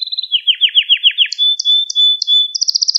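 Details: Canary song recorded to teach young canaries: a brief trill, a run of swooping down-slurred syllables, a long thin steady whistle with spaced chirps over it, ending in a fast high trill.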